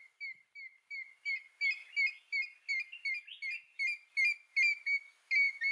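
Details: African grey hornbill in Kruger National Park giving a steady series of high, plaintive whistled notes, about two or three per second, with a second bird briefly joining in.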